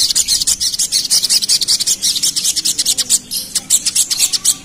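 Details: Pied fantail in rapid 'ngerap' song, a lure sound meant to agitate the bird: dense, very high, harsh chattering notes pour out almost without break, slightly uneven in loudness, with a faint low hum beneath.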